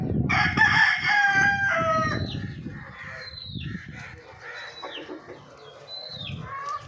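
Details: Golden Misri chicken flock: a long strained crow opening the recording, followed by short downward squawks and clucks among several birds, with low rumbling background noise.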